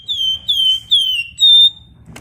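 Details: Flamboyan bird in energetic 'ngebren rapat' song: four ringing, pure whistles, each a slightly falling slur about half a second long, evenly spaced, with a soft low hum beneath.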